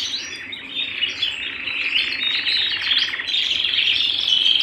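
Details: Canary at home singing a steady, bright flow of twittering notes and short trills that grows louder toward the end, ending on clear whistled tones.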